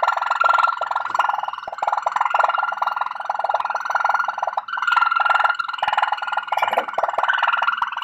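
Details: Malinois Waterslager canary singing a long, unbroken water-like roll, thick and rapid, with one short break near the middle before the bubbling trill resumes.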